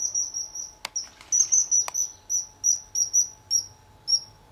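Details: A young male common kingfisher visiting and fishing at RSPB Fowlmere in August 2013, seen from a hide, gives a run of shrill, high, piercing whistles, about two a second, with a couple of sharp clicks and a faint hum behind.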